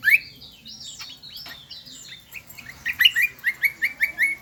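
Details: Shrill song of the kecial kombo, a bird endemic to Lombok: high sliding whistles and downward-swooping notes, then a rhythmic run of about seven piercing, evenly spaced chirps.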